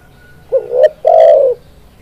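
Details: Tekukur, a spotted dove, calling to lure birds for trapping: a rising two-part coo, then a full, drawn-out low coo easing downward, over soft background noise.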